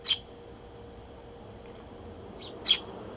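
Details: Sparrows at a feeding spot on the morning of 6 June 2023, waking the household: two sharp, high, clipped chirps about two and a half seconds apart, with a faint soft note between and a quiet steady hum.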